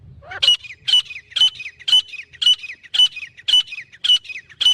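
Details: Male and female grey francolin calling: loud, high-pitched notes, each with a short rising tail, repeated steadily about twice a second in a regular, ringing series.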